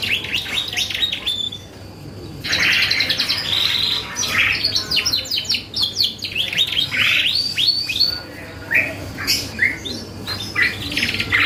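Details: Vigorously singing canary, a lure meant to draw out rival birds' songs: a varied, fast string of chattering trills, rattles and sharp chips, shifting phrase to phrase, with a short pause early on and steady low background hum.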